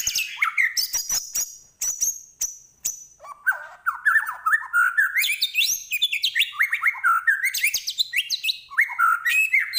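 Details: Medan white-rumped shama singing energetically: high thin whistles and sharp clicks at first, then a long run of loud, varied, slurred whistled phrases rising and falling without pause.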